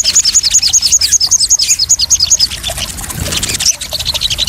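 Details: Crested jay calling for therapy and luring of newly caught birds: an opening volley of quick, high, clipped notes repeated about every quarter second, then a softer, patchy high chatter with a single rising whistle.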